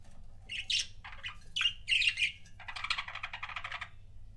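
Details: Budgerigar pair kept as pets, giving loud squawky chirps in the first half, then a steady rapid buzzy chatter of repeated notes lasting over a second.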